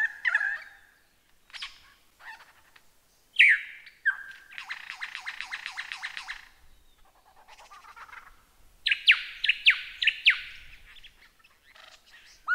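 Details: Lyrebird song for caged-bird tutoring: mixed mimicry with buzzy chattering, a long harsh rattling trill, then a series of loud sharp descending whistled notes.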